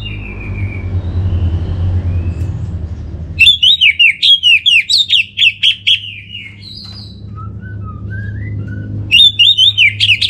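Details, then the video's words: Orange-headed thrush bait song: soft whistles over a rumble, then a loud burst of fast chipping and slurred whistles, quieter descending notes, and a new burst starting at the end. "Trbaik Buat Pancingan Burung ANIS MERAH Agar Gacor"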